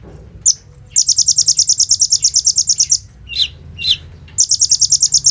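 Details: Sunbird (kolibri ninja) singing energetically, song loaded with 'bren rambatan AK-47' fill, phone-recorded, used as a lure for training other birds: long rapid machine-gun trills of high buzzy notes broken by a few lower downslurred chips.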